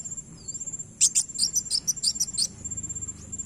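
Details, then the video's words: Kowul bird calling, played to lure other birds: one burst of about eight rapid, very high, sharp chips lasting about a second and a half, with a continuous thin high ringing tone before and after. "Pancing bunyi burung Kowul"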